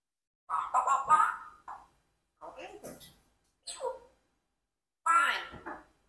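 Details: Rocky, a 4-year-old adopted Congo African grey parrot, talks indoors in four short speech-like phrases with clear word-like rising and falling tones and pauses between them.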